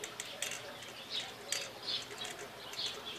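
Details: Female pet parakeet at play with a newly bought toy inside a room, producing quiet scratchy warbles and brief bright chirps in bursts, with sharp clicks from the toy between them.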